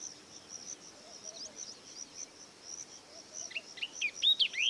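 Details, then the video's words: Yellow-eyed babbler (Chrysomma sinense) call: a quick burst of sweet, high, sliding whistled notes near the end, over a steady high insect-like hiss. "The sweet call of yellow eyed babbler"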